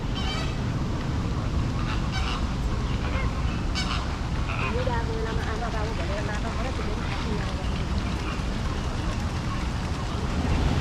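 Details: {'caption': 'Large flock of flamingos in Kowloon Park, Hong Kong, among tall city buildings, giving low, goose-like honking calls with wavering notes under a steady roar of urban noise and occasional voices.'}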